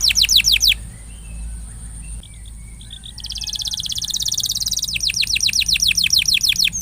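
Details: Canary song played to stimulate a non-singing canary: a few quick falling whistles, a quiet gap with soft faint notes, then a dense high buzzing trill giving way to rapid descending sweeps.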